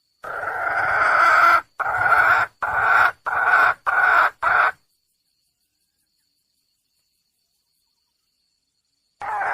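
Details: Wild junglefowl hen calling for a male: six harsh, raspy notes, the first long and the rest shorter, in a quick uneven run, followed by a long silence and a final note starting at the end.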